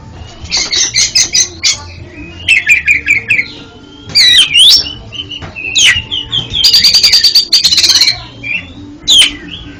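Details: Oriental magpie-robin song for a kept bird that stutters: clusters of rapid repeated notes alternate with swooping whistles, including a long buzzy rattle of quick notes in the later half.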